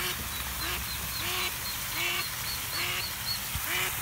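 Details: In spring, ducklings trapped in a drain fountain in a park pond cry with short, thin peeps repeated slightly faster than once a second, over a steady wash of water noise, while a curious Italian Greyhound listens.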